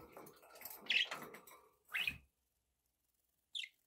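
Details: Budgerigars kept as pets chirping softly, a couple of brighter rising-falling chirps standing out from murmuring chatter, then silence before one last thin chirp.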